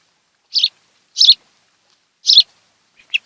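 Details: Nest-cam recording of a mated osprey pair on Kent Island, Maryland, July 26, 2018, early afternoon: three separate high, slightly buzzy chirps roughly a second apart, then faint softer notes at the end.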